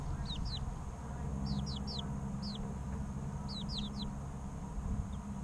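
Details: Baby chickens three weeks old give sparse pairs and triplets of clear, high, downslurred cheeps, spaced by short pauses, over a faint steady low hum.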